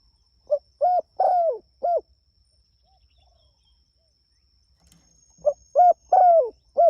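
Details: Spotted dove calling vigorously to its companions, repeating its cooing phrase twice with a long pause between. Each phrase runs short pickup, clear coo, long descending coo, crisp end coo. A faint whine is audible.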